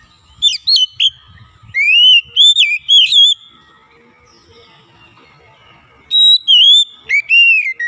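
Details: Oriental magpie-robin (kacer), formerly lazy to sing, delivering bright whistled phrases: quick upslurred and wavering notes in two energetic bursts with a quiet stretch between.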